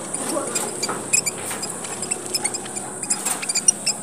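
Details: Red munia from Papua, Indonesia, used to attract birds: quick high chips and squeaks in loose bursts over a constant shrill hiss.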